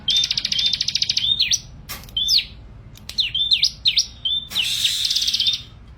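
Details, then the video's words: Crescent-chested puffback song with a quick high rattle of notes, then sweeping V-shaped whistles and flicks separated by short gaps, and a closing rapid trill. "SUARA BURUNG CIBLEK GACOR"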